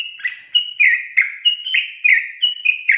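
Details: Yellow-vented bulbul song meant to trigger singing in young caged birds: dense, lively run of slurred whistles, alternating high and lower notes, several per second, clear and loud.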